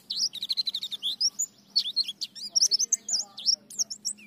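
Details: White-eye in active ngalas, nembak and ngriwik song: a continuous rapid flow of high, looping whistled chirps and quick twisting notes, with a faint low hum underneath.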